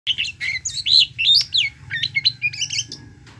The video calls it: chim sáo hót